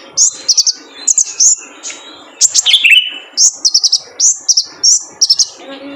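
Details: Male kolibri ninja sunbird used as training material for cage birds: short bursts of very high, sharp chips repeated in clusters about every second, with one brief lower descending note midway.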